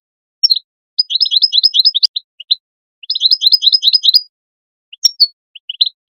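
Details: European goldfinch call meant to stimulate other goldfinches to sing: two bursts of rapid, liquid high twittering about a second long, then scattered short chips and a brief downslurred note, over a silent background.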